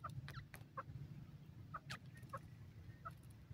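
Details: Francolin (dakhni teetar) in grassy vegetation giving short, soft clucking notes at a middling pitch, spaced irregularly about every half second, over a steady low rumble of wind and occasional clicks.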